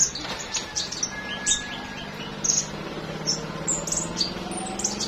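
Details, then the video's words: Flowerpecker heard in the morning giving rapid, scattered high-pitched tweets and ticks throughout, some doubled, over a soft continuous insect-like trill and low background hum. "Chim Sâu Hót"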